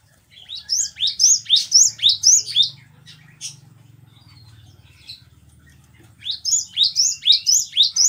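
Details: Cinereous tit song used to train caged birds: two bursts of rapid, high, sweet notes, each rising and then dropping, about two per second, separated by a few quiet seconds with a faint low hum.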